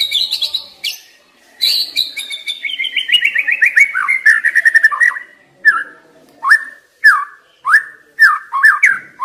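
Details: White-rumped shama song meant to provoke young wild birds: a long descending series of quick whistled notes, then evenly spaced loud downward-slurred whistles about every second.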